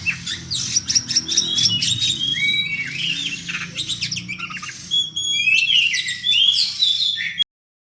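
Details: Oriental magpie-robin fighting with song at a fast, tight tempo. Crisp chirps and clear rising and falling whistles mix with buzzy rattles in a busy, unbroken flow. A low rumbling hum sits in the background before the sound stops abruptly.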